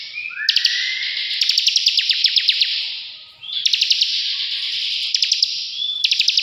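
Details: Bar-winged prinia singing ngebren, a rich buzzy high-pitched rattle with rapid evenly spaced ticks, opened by a short upslurred whistle and briefly pausing near three and a half seconds.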